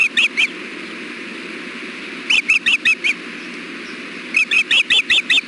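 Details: Osprey on a nest camera during a fish delivery: three bursts of rapid, high chirped whistles, each of four to six notes, separated by short pauses, over a steady background hum.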